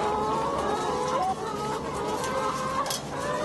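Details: Laying hens crowded in cages on a French farm in February 2012, a constant chorus of clucks and short wavering calls layered over steady mechanical background noise.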